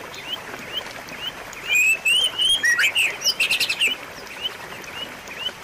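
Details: White-rumped shama giving soft spaced whistles that build into a loud fast phrase of clear upslurs and a rattling trill, then fade, meant to restart a caged bird's singing.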